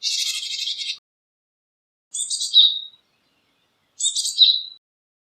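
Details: Japanese tit (Parus minor) calling: a harsh, buzzy note, then two high two-part calls slurring downward, about two seconds apart.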